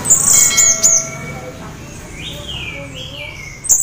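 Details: Orange-headed thrush half in breeding condition, singing to prompt other thrushes to join in: high thin notes early, then slurred whistled phrases rising and falling in the middle range, with a faint background murmur.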